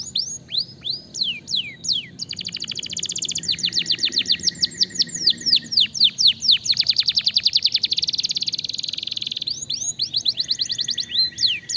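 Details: Domestic canary song used to make other canaries respond: opening downslurred whistles, then a long mix of fast trills and rapid repeated sweeping notes, ending with a flat buzzy tone.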